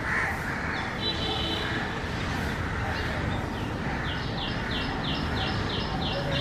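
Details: Common myna calling: a few harsh notes, then a quick run of short, stepped chattering notes repeated in a regular sequence, against constant low background noise.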